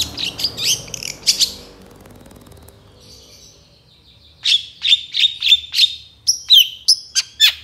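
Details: Long-tailed shrike in lively 'gacor' song packed with 'isian' and 'tembakan' phrases, used for tutoring other songbirds: a cluster of harsh, high notes, a brief lull, then a fast run of clipped, repeated whistled notes.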